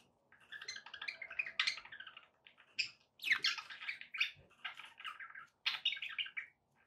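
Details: Pet budgerigars keep up a continuous, scratchy warbling chatter made of rapid mixed chirps and squeaks. The calls come with only short breaks.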